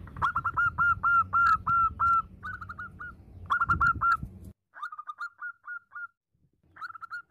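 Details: Female zebra dove calling the male: runs of short whistled coos, each slightly rising then level, repeated quickly at about three per second, broken by pauses, with a low rumbling background noise.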